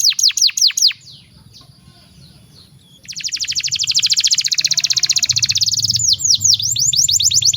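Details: Canary singing a master song for tutoring young birds: a few sharp falling notes, a quiet pause, then a long, dense buzzy trill and more rapid descending sweeps.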